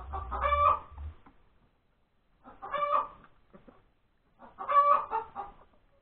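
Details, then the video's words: Hen cackling after laying an egg at breakfast time on Sunday, 31 January 2021: three loud, harsh, drawn-out cries about two seconds apart, each trailing into short clucks, with a low rumble at the start. "the crowing of the hen that lays the egg"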